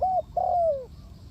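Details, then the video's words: A single spotted dove phrase, used as a lure for trapping doves: one short hoot then a long smooth coo gliding downward, clear and close. "The Sound Of A Spotted Dove is very good"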